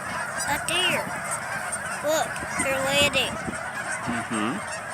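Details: Geese honking on Thanksgiving Day: several nasal, rising-and-falling honks from more than one bird over a constant rushing background noise.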